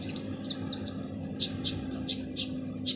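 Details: Sunbird called kolibri ninja giving its harsh song for training other birds: quick high twittering notes followed by a regular series of short, shrill, scratchy bursts about every third of a second, over a faint low hum.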